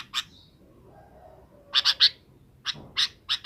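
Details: A sooty-headed bulbul calling companions to roost in the afternoon gives scattered harsh chips, single and in triplets, separated by short pauses, with faint low background noise.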